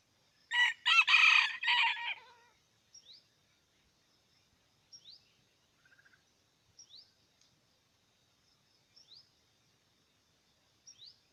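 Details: Red junglefowl from Aceh: one loud, harsh, multi-part crow lasting about two seconds, followed by faint, thin, rising chirps from a small bird repeated every couple of seconds in a quiet background.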